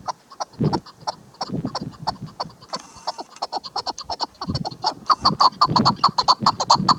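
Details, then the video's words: A chukar partridge gives rapid, clucking chuk notes, about two or three a second, building into a denser, louder run with low thumps between them. "KEKLİK sesi shikari chakor sound chakor ki awaz zirk madi awaz"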